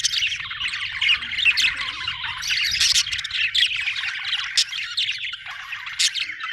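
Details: Continuous chirping of budgerigars, a busy stream of warbles, squeaks and scratchy notes with occasional sharp high ticks, no pauses across the whole stretch.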